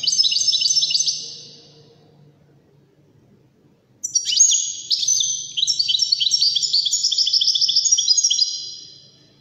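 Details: European goldfinch in the Wedani song style, Morocco: a brief jingling burst, silence, then a long lively run of twittering and trilled chatter.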